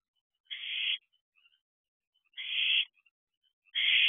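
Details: Owls with owlets at a nest box during the first food delivery of the night, 25 June 2023, 9:37 pm. Three drawn-out, raspy hissing screeches come about every 1.5 seconds, with faint soft chirps between them.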